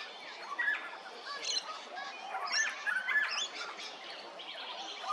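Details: Hervey Bay, Queensland: a little friarbird's squawking, cackling phrases, coarse and metallic, delivered in choppy clusters with brief pauses, while thin high chirps from other birds fill the background.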